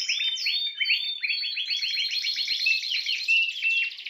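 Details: Spanish timbrado canary singing a continuous rapid trill of curved, repeated notes, steady and loud throughout.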